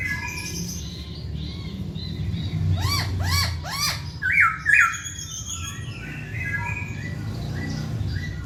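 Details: Lively masked laughingthrush song for coaxing lazy birds to sing: a run of four arched, repeated whistled notes, then two loud sharp bright notes, with heavy low-pitched background rumble throughout.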